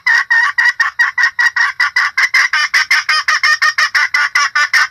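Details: Female red junglefowl lure call for attracting males and other hens: loud, fast run of short harsh clucks, about five per second, kept up evenly throughout with no other sounds.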